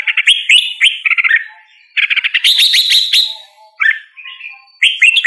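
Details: A red-whiskered bulbul sings bright, bubbly whistled phrases of quick chirping notes, in three bursts separated by short pauses, with no other sounds.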